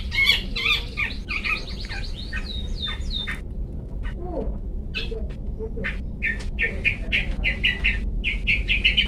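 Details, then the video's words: A long-tailed shrike giving "toet toet" song for training caged birds: harsh, squawky chattering notes and a few upward-swept whistles, a brief pause, then a fast series of rough, staccato chips. "Cendet toet toet Cocok Untuk Masteran Cendet macet"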